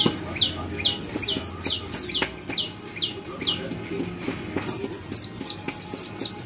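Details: White-eye chirping meant to prompt other white-eyes into song, a series of sharp high downslurred notes, some doubled or tripled in rapid runs, over faint low-pitched background noise.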